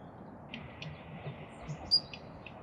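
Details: Daurian redstart (Phoenicurus auroreus) calling at Kasai Rinkai Park: faint, short, high ticking notes roughly every half second, with one clearer thin whistle near the end, over a steady low background hiss.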